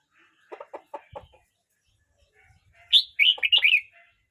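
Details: Red-whiskered bulbul, a young bird of 12 months 29 days, sings a loud, quick, warbling phrase of slurred whistled notes. It follows a run of lower, softer chattering notes and a few low thumps.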